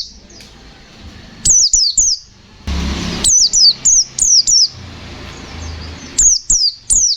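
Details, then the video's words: White-eye in fighter ngalas nembak style, giving bursts of three or four sharp, very high downslurred whistles in quick succession, separated by short pauses and a soft rushing noise. "Suara burung pleci Gacor fighter Ngalas nembak, Sobek sobek"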